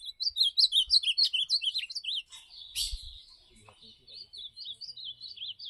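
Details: Campeada song of an ultramarine grosbeak: a loud string of quick, looping whistled notes, each swooping up and down. The singing pauses briefly, then resumes more softly with similar warbled phrases.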